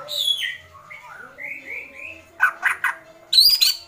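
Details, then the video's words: Agitated White-rumped shama in 'kretekan' mode. Opens with descending and wavering whistles, then breaks into harsh, crackling bursts in quick succession. "Kretekan Murai Batu Emosi"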